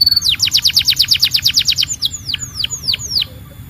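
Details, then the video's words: Belgian canary giving a quick run of about a dozen rapid falling chirps, then five slower, louder drooping whistles spaced a few tenths of a second apart; low steady hum underneath. "Your Belgian Canary Might Sing NON-STOP After This"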